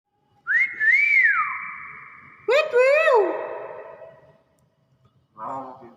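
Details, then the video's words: Pet hill myna answering when called indoors: a long clear whistle that rises, wavers and drops, then a burst of sliding, harmonic notes sweeping down, ending in a short rough note. "burung beonya bisa batuk....di panggil eh jawab"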